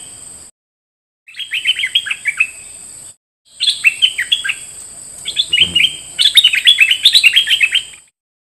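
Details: Bulbul song from a decoy bird: bright, bubbly whistled phrases in quick bursts, rising and falling. A steady high-pitched hiss runs underneath.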